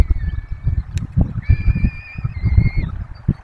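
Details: Webcam at a peregrine falcon nest in the Barycz Valley during feeding of four chicks; drawn-out whining calls, the loudest held level for over a second before dropping off, with wind noise and faint knocks.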